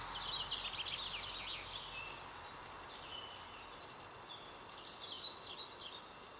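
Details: Common nightingale singing in Torsås municipality, southern Kalmar County, Sweden, on 7 May 2017; a burst of rapid high chirps and trills opens, then quieter distant phrases continue over steady rural background noise.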